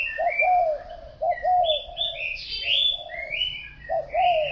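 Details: Spotted dove giving low falling coo phrases at the start and end, with a songbird's sharp, high warbling notes filling the middle.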